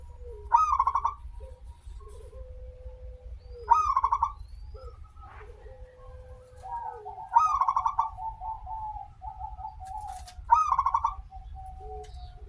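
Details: Local zebra dove singing steadily, used as a lure to get other zebra doves to sing: a rising opening note into a rapid pulsed cooing trill, repeated four times about every three seconds, over long steady low tones and faint low rumble.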